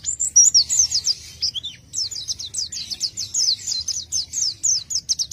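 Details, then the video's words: Pleci, the oriental white-eye, in energetic isian song. Bright high chattering phrases open, then a long string of quick descending tsip notes tumbles out in rapid succession. Quiet low-frequency hum in the background. "isian burung pleci gacor"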